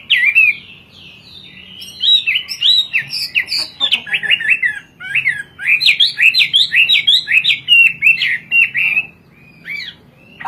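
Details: Hwamei, a bird native to China, singing vigorously in the 'kowor kowor' style. It gives a varied stream of loud, clear whistled phrases with rapid rising and falling slurs, partly repeated in quick runs, with brief pauses between bursts.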